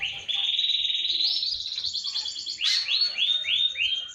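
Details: Canary song played to draw other birds into singing: a long steady high trill, a sharp burst, then a string of four or five rising-and-falling whistled sweeps.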